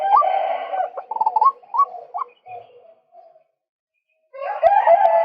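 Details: Male White-breasted waterhen, recorded to attract birds: loud, coarse, buzzy outbursts mixed with quick upward-flicking notes, a quiet gap, then another raucous harsh burst.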